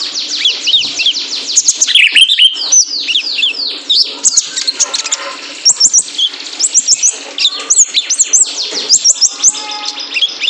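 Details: Lure recording of a male kolibri ninja sunbird for training cage birds: opens with a rush of high descending slurred notes, then spaced bursts of thin, piercing chips and short twitters.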